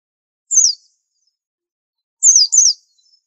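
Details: A very unusual white-eye with a unique training song utters one sharp descending chirp, then after a gap a doubled pair of quick, high, falling notes. Otherwise quiet.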